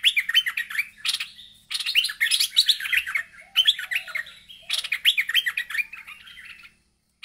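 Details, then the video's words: An agitated bulbul calling a rival, giving loud runs of fast, jumbled chirps and warbled notes in repeated bursts of about one to two seconds, with a quiet low hum in the background. "Merbah Lekir Ngamuk Manggil Lawan"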